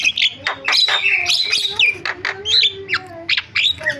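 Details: Javan myna in full varied song: a rapid, dense jumble of shrill whistles, sharp chirps and rasping notes, delivered continuously with barely a break.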